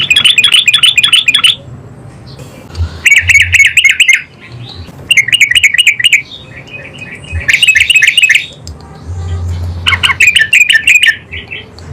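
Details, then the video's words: Yellow-vented bulbul answering immediately in loud bursts: harsh, bubbly chatter in fast runs of about one to two seconds, separated by short quieter gaps with low rumbling. "OCEHAN BURUNG TRUCUKAN GACOR LANGSUNG NYAUT"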